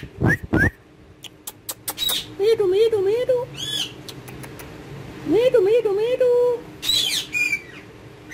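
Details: Pet ringneck parakeet having fun and talking in Urdu or Hindi with a mobile phone: wavering, voice-like phrases with rich overtones in two bursts, preceded by sharp clicks and short upslurred squeaks, ending with a high chirp.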